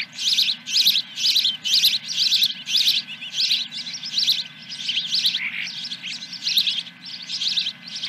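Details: Osprey at a ranch nest, morning of 10 July 2021, first fish: loud insistent high chirping, repeated about once a second in a regular pulsing series, with a low hum underneath.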